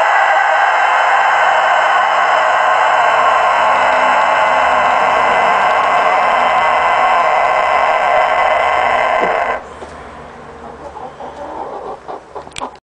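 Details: Rooster giving one very long, loud, steady crow held for over nine seconds without a break, cut off abruptly, followed by quieter rustling and clicking sounds.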